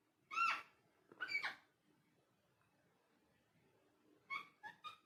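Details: Indoor pet talking parrot giving two hoarse, voice-like harmonic calls close together, a pause with faint room noise, then three quick short notes.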